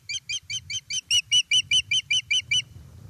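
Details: At a nest in Estonia, 1 September 2019, an osprey greets a fish delivery with a loud run of about fourteen clipped, high whistled yelps, evenly spaced, fading out at the end over a low background rumble.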